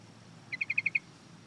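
A Yellow-vented Bulbul gives a quick run of six bright, even chip notes in about half a second, over a faint low background hum.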